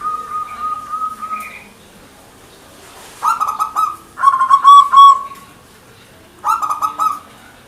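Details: Local zebra dove (perkutut) singing in manggung style: bursts of rapid, throaty staccato cooing notes, each about a second long, separated by pauses, with a steady whistled tone at the start.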